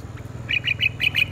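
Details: Red-whiskered bulbul singing in the morning in competitive song, giving a quick run of about seven bright, chirpy notes, evenly spaced and fairly high-pitched, over a faint low hum.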